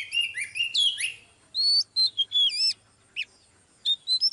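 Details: Oriental magpie-robin, female used to push a male into fired-up singing. Opens with sliding, squeaky whistles, then a pause before a string of pure, slurred whistled notes, followed by scattered short high phrases.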